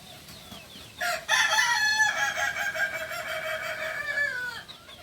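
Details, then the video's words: Native kukuak balenggek rooster of Solok, West Sumatra, giving a long crow: a short first note, then a sustained, richly harmonic call shifting through several pitch steps before trailing off, over faint background bird chirps. "Ayam kukuak balenggek ayam asli solok sumbar"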